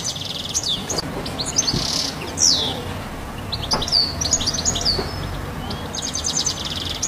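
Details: European goldfinch perched on a house roof, uttering bursts of high, bright twittering and sharp chirps, with some downslurred whistled notes and brief pauses between phrases; a low steady rumble runs underneath.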